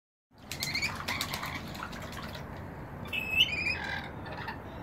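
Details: Rainbow lorikeets bathing in a bird bath on a balcony: shrill, screechy chirps and squawks in quick bursts, first near the start and again around three seconds, over constant splashing water and flapping wings.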